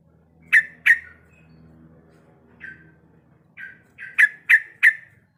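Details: Breeding-condition female sooty-headed bulbul calling the male with sharp, clipped notes in pairs and triplets, separated by short quiet gaps and a few softer single notes.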